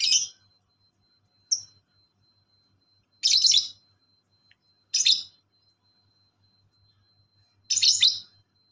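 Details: Lovebird, master training audio: scattered loud, harsh squeaky chirps with long silent gaps, one much shorter and softer, over a faint steady tone.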